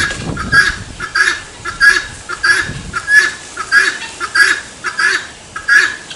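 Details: Rhythmic series of harsh, scratchy 'tô fraco' cries from a helmeted guineafowl, evenly spaced about every half second and sustained, with soft low-pitched background noise at the start.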